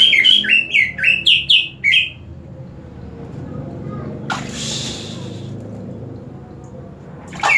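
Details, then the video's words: Green leafbird that sings even harder after being sprayed with water: about six quick, ringing whistled phrases in the first two seconds, then a hissing spray of water over a steady background hum, with a final burst of song. "CUCAK IJO INI DISIRAM AIR MALAH MAKIN MENJADI"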